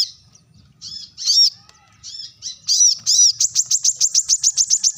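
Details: Brown-throated sunbird giving a sharp call to summon rivals: a few varied chirps and buzzy notes, then a fast run of piercing high chips repeated about four times a second, rising toward the end.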